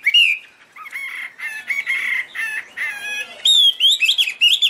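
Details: Chinese hwamei song with sustained buzzy, rich notes held in bursts, ending in clear high whistled rising and falling slurs repeated several times.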